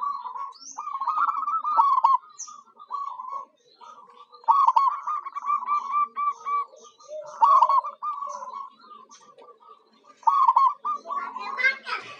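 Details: Lure song of a local zebra dove (perkutut) meant to entice wild birds: clipped, rolling coo phrases in bursts with pauses between, and a burst of rustling noise near the end.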